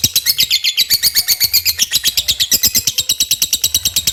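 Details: Lively 'gacor' lovebird song used to coax other birds into singing: fast, steady strings of shrill, scratchy chirps packed tightly together, rising slightly in pitch partway through, with no other clear sounds.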